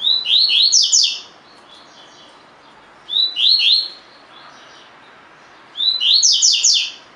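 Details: Double-collared seedeater, a spirited caged bird, singing the tui-tui song style used as training song; three bright slurred phrases of rapid descending sweeping notes, each about a second long, spaced roughly three seconds apart, over soft background hiss.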